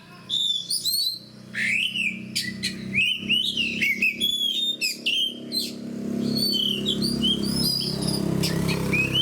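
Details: Oriental magpie-robins in full, fighter-style song: rich whistled phrases with rising and falling notes, slurred upsweeps and harsh, buzzy bursts, nearly continuous over a steady low hum.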